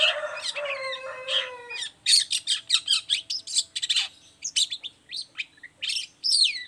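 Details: Long-tailed shrike singing continuously, a lure recording meant to make other shrikes answer and sing; slurred downward whistles and a low drawn note give way to fast runs of sharp, scratchy chips and twisting high notes.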